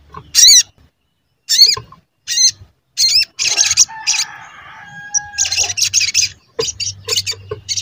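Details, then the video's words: Energetic sogon singing used as a lure to make birds sing: sharp, high, repeated chirps in quick bursts, with a steadier whistled tone in the middle and a low background hum. "Pancingan Sogon Agar Bunyi dan Emosi"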